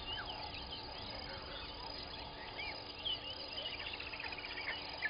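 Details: Masked weavers calling around nests at a waterhole in the Sabi Sand, South Africa, early morning 01/11/21; continuous busy twittering of short buzzy and sliding notes from many birds over a constant faint hum.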